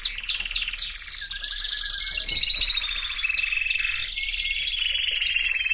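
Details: Canary delivering continuous high rolling trills that shift pitch from phrase to phrase, with quick descending swoops in the middle.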